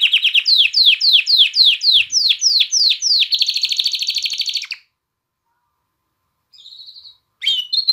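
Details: Canary song meant to excite hens to mate and spur fledglings to sing: about a dozen rising swept notes repeated roughly every quarter second, then a tight high buzzing trill, silence, and brief soft phrases.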